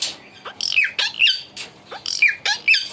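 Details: Pet parrot described as talking, producing a rapid series of about seven harsh squawks with bright falling sweeps, close together over three seconds, indoors.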